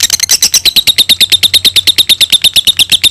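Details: Lovebird long chattering song used as a training lure for other birds; steady rapid harsh chirps, about three per second, sustained throughout with no break.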